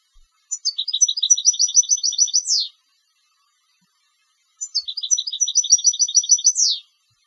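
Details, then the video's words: Goldfinch raised for song competitions repeats the same phrase twice: a few clear introductory notes, a rhythmic rattling trill of evenly spaced chirps, and a final descending buzz. "Jilgueros de Concurso - Canto del Jilguero"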